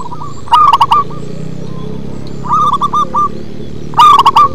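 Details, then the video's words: Local zebra dove singing with a deep bass voice: three phrases of quick, clipped cooing notes, the first and last loud and rolling, the middle one softer, over a steady low background hum. "Perkutut lokal manggung ngebas"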